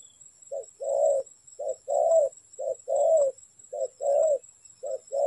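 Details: Spotted dove calling as a lure for trapping: soft, low cooing in pairs, a short note followed by a longer drawn-out coo, repeated about once per second, with a steady thin high-pitched whine in the background.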